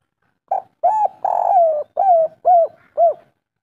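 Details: Spotted dove of the local three-note kuk style, used as a lure to prompt other doves to call: six clear mellow coos with arched pitch, one long drawn note among them, in quick succession on a quiet background.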